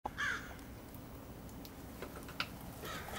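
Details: Crow calling in a front yard in Flagstaff in February 2013: one short, harsh, hoarse caw near the start, then quiet outdoor background with a few faint clicks and distant sounds.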